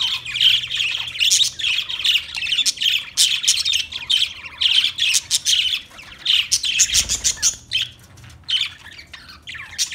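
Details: Budgerigar, an Australian parrot, chirping and warbling in a lively rhythmic stream of high squeaky notes, with a brief soft thump partway through.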